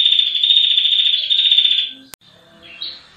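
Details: Female Rufescent Prinia giving a long 'ngetir' trill, used as a tutor recording for training other cage birds: a dense, rapid, buzzy trill for about two seconds, then a sharp click, a pause and a few faint high notes.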